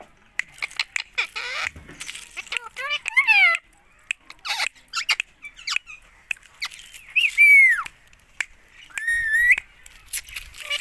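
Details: A rose-ringed (Indian) parakeet, a talking pet parrot, chatters in a burst of clicks and short squawks, then gives harsh bending screeches and rising whistled phrases with pauses between.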